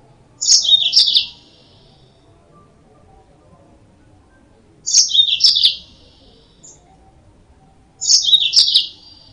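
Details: Yellow-fronted canary song used as a lure for trapping birds: three short, high, chirpy phrases of quick twittering notes, each lasting under a second, spaced about four seconds apart over faint background hiss.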